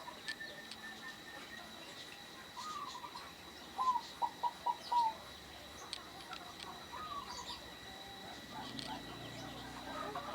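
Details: Rare-voiced local zebra dove: a string of five clear, evenly spaced clipped notes around 4–5 seconds, with softer trills before and after and faint chirping birds in the background.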